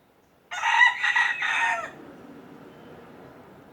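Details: Rooster crowing once in a loud harsh burst of about one and a half seconds, three pulsed segments, then a quiet background hum after the crow fades.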